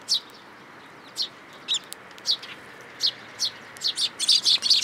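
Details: Young sparrow come for food in a plum tree at a Tenmangu shrine, June 2022: high chirps, sparse at first, then speeding into a rapid, louder, excited burst in the final second.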